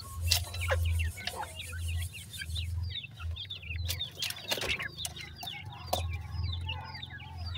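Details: Grey francolin chicks calling for their mother, a dense chorus of thin, high, rapid peeps, many overlapping at once, over a steady low rumbling hum.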